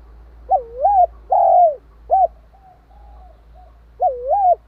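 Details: Spotted dove cooing to provoke and stimulate another dove: clear, low, hollow coos in a phrase of rising-falling notes, a short note, a soft drawn-out tail, then another looping coo; quiet background.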